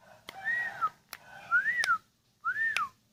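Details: Sooty-headed bulbul kept as a pet, aged ten years, delivering three mellow arched whistles about a second apart, each rising then falling, punctuated by sharp tapping clicks.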